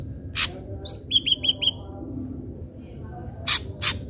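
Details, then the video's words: Lure song of an ashy drongo for training captive birds to sing: a bright high whistle, then four quick, evenly spaced, slightly downslurred whistled notes, set between sharp clicking snaps against a steady low hum. "Srigunting Abu Abu Gacor"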